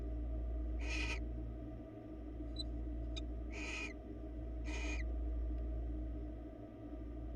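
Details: Three rasping, hiss-like screeches about two seconds apart from barn owls on a Florida webcam, with a faint click between them and a constant low hum.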